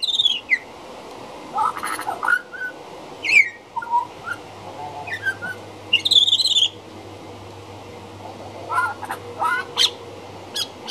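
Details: Outside a back door a juvenile pied butcherbird sings a rambling medley of harsh squawks, slurred whistles and chattering bursts, with a low steady hum in the background.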